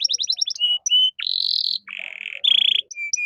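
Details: Brief burst of caged canary master song in cengkok mewah style: a rapid stutter of notes, short pure whistles, then harsh buzzy tours alternating with level whistles.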